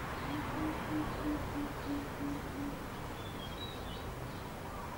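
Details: Greater coucal (Centropus sinensis intermedius) at Khao Yoi, Phetchaburi, Thailand, on 6 July 2013, giving a deep, hollow series of about eight booming hoots, three per second, over steady hiss, then a faint high bird note.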